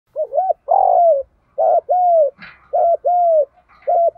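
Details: Spotted dove, a fine-looking bird with a complete cooing song in the full-song voice style, played to stimulate other doves to coo; loud, low hooting coos in paired and drawn-out notes, repeated about once a second, with a faint chirp midway.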